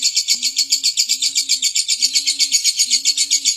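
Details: Lovebird used as a daily trigger for other birds' singing: a fast, high, pulsed chattering trill runs without a break, with four low, flat dove coos beneath it.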